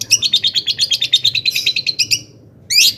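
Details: A long-tailed shrike sings excitedly, as used to provoke other shrikes: a quick even series of sharp high chips, about eight per second, ending, then a single rising squeaky note after a brief pause.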